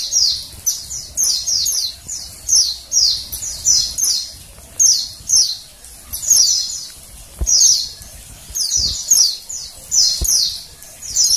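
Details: Female Oriental white-eye calling with bright, high descending chirps in quick doublets and triplets, repeated steadily; these calls are used to provoke males into song.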